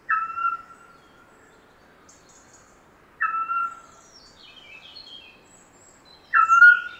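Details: A Eurasian Scops Owl (Otus scops) of southern Europe gives its whistling call: three short, clear, level notes about three seconds apart, with faint high chirps from other birds between them.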